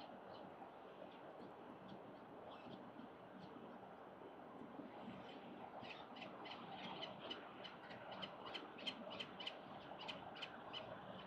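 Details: Wild peregrine falcons at a city-building nest watched by a live camera, October 10, 2022, as the mother arrives with another breakfast; after steady traffic hum, a fast series of sharp repeated calls, about three per second, begins midway.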